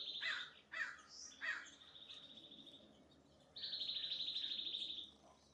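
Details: A male Nuttall's Woodpecker at a suet treat on an oak tree in Descanso gives three sharp, harsh notes, then two long, rapid, high-pitched rattling trills, the second louder.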